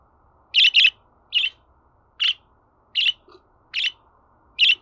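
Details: Series of short, bright budgerigar chirps, starting with a pair and continuing as single notes about every half to one second, over a soft steady hum.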